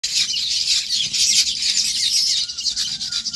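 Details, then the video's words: Many birds chirping on a farm in their natural habitat, a dense wash of high, bright twitters and tweets overlapping continuously, with a few faint lower tonal notes beneath. "Bird Chirping Sounds"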